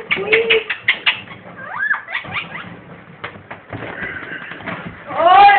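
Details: Pet ringneck parrot indoors chattering and laughing: scratchy rapid syllables, swooping squeaky notes, a buzzy warble, and a loud rising nasal cackle at the end.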